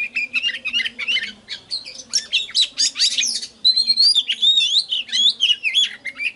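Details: Oriental magpie-robin lure song used to call in wild birds: a fast, varied stream of clear rising and falling whistles mixed with scratchy chattering notes, with a faint low hum behind.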